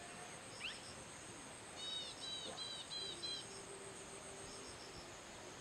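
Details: Common hawk-cuckoo, the brainfever bird of the Indian subcontinent: a short run of five high, clear whistled notes in quick even succession over a steady chorus of crickets and insects.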